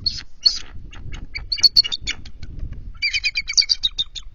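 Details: Startled bald eagle at a night nest switch in February, the pair alert after chasing off intruding adult eagles: sharp high squeals and fast staccato chittering series, broken by a pause, over low rustling and knocks.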